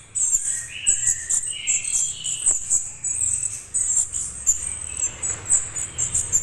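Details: Orange-headed thrush juvenile, whose call draws adult birds to respond: rapid piercing high squeaks in bursts, several short mid-pitched whistled notes early on, and faint low rumble.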